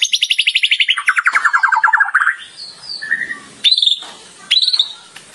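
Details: Champion white-rumped shama in frenzied nonstop song for training other birds: a rapid rattle sliding downward into lower notes, then scattered short whistles and two brief bursts of high, clipped notes.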